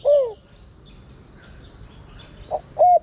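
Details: Spotted dove cooing as a lure for wild birds: one falling coo note, a pause of about two seconds, then a short note and a level hooting coo, with a quiet background.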